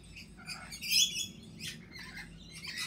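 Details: A lorikeet, apparently missing its young, gives shrill, high-pitched chirps and harsh screechy bursts in quick succession over a faint low background hum.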